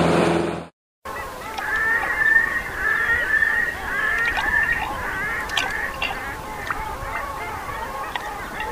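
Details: On 30 April 2010, a flock of long-tailed ducks resting with common eiders on the foggy Bothnian Sea near Räyhät, Viasvedenlahti, Finland, calls in a steady, overlapping chorus of nasal, yodelling notes, with a brief silence near the start.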